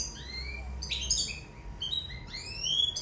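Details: Goldfinch from Sicily in love, singing quieter rising whistled notes broken by a short burst of harsh chatter, with a low hum in the background.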